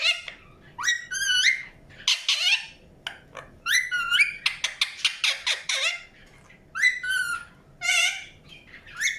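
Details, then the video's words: Indian ringneck parakeet chirping naturally: bursts of harsh, harmonic notes that sweep upward, delivered in quick clusters with short pauses between groups, ending with a few separate rising chirps. "PARROT CHIRPING SOUNDS | NATURAL SOUNDS PARROT CHIRPING"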